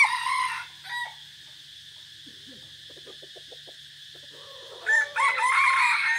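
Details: Decoy red junglefowl recorded 3 April 2024 on a forest trip, one of several birds heard in turn: the tail of a hoarse crow opens, then a quiet gap with faint clicks before another raspy, rough crow starts.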